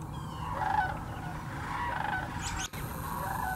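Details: Thousands of sandhill cranes migrating through the Hiwassee Wildlife Refuge in Birchwood, East Tennessee: continuous rattling, bugling flock chatter with a few louder calls near the start, interrupted by a sharp cut. GoPro Hero 9 and Canon PowerShot footage.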